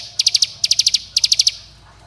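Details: Ciblek gunung (bar-winged prinia) lure call for prompting young birds: three short bursts of four to five quick, high, sharp notes, then quiet.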